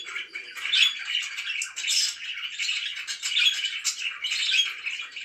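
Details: Pet budgerigars in the morning, chirping in bright squeaky bursts with short whistled notes mixed into ongoing rapid chatter.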